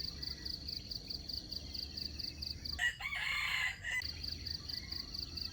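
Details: Red junglefowl crowing as a lure to trap wild chickens: one harsh, harmonic crow lasting about a second, set against a steady, pulsing chorus of insects.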